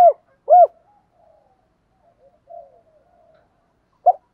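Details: Provocative cooing of a spotted dove, meant to stir wild doves into answering. Two strong, deep, arched coos sound close together, then soft low murmuring notes, ending with one short, firm coo.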